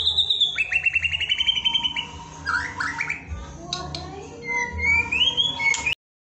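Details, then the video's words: White-rumped shama singing energetically, recorded as a training song for other shamas: fast rattling trills, then varied clear whistles that slide upward, repeated at a brisk pace over a steady low hum, ending abruptly. "Murai batu gacor untuk latihan berkicau murai batu"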